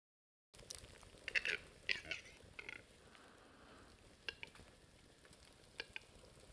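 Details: Western capercaillie winter-spring song in early March 2011 in the Cerkno region, Slovenia: a cluster of dry, knocking clicks and pops, then scattered single clicks over a faint hiss of background noise.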